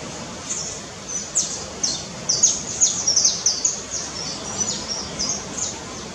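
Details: Red-legged honeycreeper recorded in surroundings of a guesthouse in Cumuruxatiba, Bahia, Brazil, giving high, thin, clipped chirps and short descending notes in an irregular run, about two or three per second, against constant hiss.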